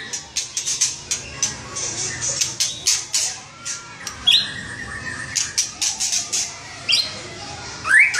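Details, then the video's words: White-rumped shama singing vigorously (gacor): dense rapid harsh, scratchy high bursts repeated many times a second, with a few sharp whistled notes and a rising whistle near the end. "Suara Kicau Murai Batu Gacor Mantap"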